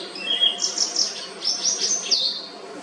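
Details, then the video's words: A white-browed wagtail, beak open in mid-song, sings a quick run of clear, high, rhythmic chirps, trills and short slurred notes, several per second, over faint background hiss. "The white browed wagtail | . Its clear, rhythmic chirps and trills create a uplifting atmosphere,"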